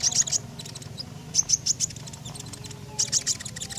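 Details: Common iora in lively song, used as a lure to prompt other birds: three bursts of quick, very high, thin chirps, each a run of four to six notes about every 1.5 seconds, over a steady low hum.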